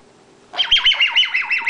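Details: A 10-month-old female pet bare-eyed cockatoo, coaxed indoors to talk, gives her 'laser beam' noise instead: a quick run of about seven loud, whistled, falling sweeps, each dropping steeply and repeating rapidly. A woman's voice is heard before.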